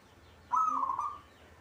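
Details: Local zebra dove kept in a cage, singing actively: one rolling coo phrase with a high start and quick bubbling pulses, about two-thirds of a second long, in a quiet setting.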